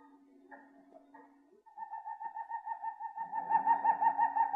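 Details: Harz Roller canary singing a soft, low tour: quiet hollow notes at first, then a steady, evenly pulsed roll that swells louder over about three seconds.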